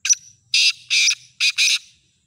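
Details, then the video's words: Black francolin offered for sale, giving its full call: a short sharp note, then two pairs of loud, harsh, grating notes, each about a fifth of a second long, in a quiet setting. "Kala Teetar Ghangas Full Awaaz wala"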